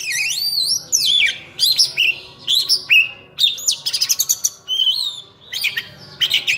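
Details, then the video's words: Oriental magpie-robin in lively full song, pouring out high whistled swoops, sharp upward slurs, quick clicking bursts and scratchy trills in fast succession, over a faint low background hum. "Kacer Full Isian"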